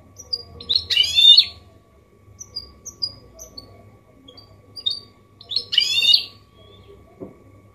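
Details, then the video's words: Clean-singing goldfinch mule in 'copia malaga' style, a song meant to spur males and tutor young birds: scattered thin high tweets between two loud buzzy, rattling bursts about five seconds apart. "Mixto jilguero Limpio canto (copia malaga) Elegante / mule of goldfinch bird singing the best sounds"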